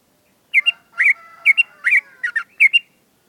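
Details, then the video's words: Morning sunning of a caged sooty-headed bulbul: a short series of six bright, bubbly two-note phrases, evenly spaced, with faint thin whistled tones between them. "TERAPI EMBUN JEMUR PAGI BIKIN BURUNG TRUCUK NGEWERRR"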